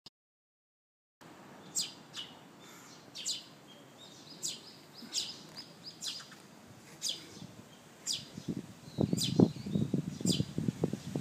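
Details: Eurasian tree sparrow chick begging for food while being ignored: thin, high chirps repeated at uneven intervals, with louder low rustling and handling noise in the final seconds.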